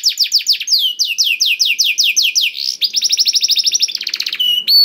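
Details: Black-throated canary song intended to stimulate canaries into singing: steady repeated high downslurs, shifting into a quicker rattling trill and ending with a clear whistled note.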